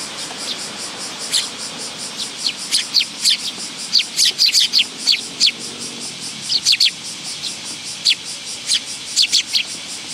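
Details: Several willow tits coming to a bench feeding spot at a Tenmangu shrine, 10 August 2022: high, brief, needle-thin chips in irregular clusters throughout, above a continuous shrill background buzz.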